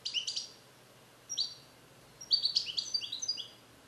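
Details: A male European goldfinch, bred in captivity in the USA in 2021, sings alone in a carrier while learning Neapolitan-style passages. High, liquid twitters and slurred whistles come in two quick phrases separated by a short pause.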